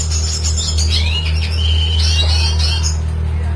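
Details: Red siskin performs a lively classic-style song for tutoring other birds. A continuous, fast, high warble of twisting whistled and twittered notes plays over a loud, constant low hum.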